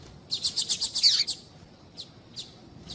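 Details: Female white-bellied seedeater calling, used to warm up a male so he sings; a fast even series of about seven bright high chirps ending in a downward slur, then three spaced single chirps.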